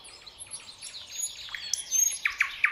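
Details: Common nightingale singing a serenade to the rising sun, filmed on a Sony DSC-RX10M3 camera; soft varied whistles and slurred notes build to three loud, sharp, rising notes near the end.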